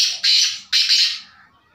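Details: Black francolin (kala teetar) giving two loud, harsh, grating notes close together. The second note is drawn out with a slight stutter before fading away against a quiet background.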